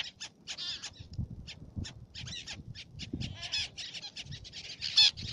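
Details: Several Black-naped terns (Sterna sumatrana) on Fares, Baa Atoll, Maldives, give harsh, raspy, high calls in quick overlapping bursts over a low rumble of wind or surf.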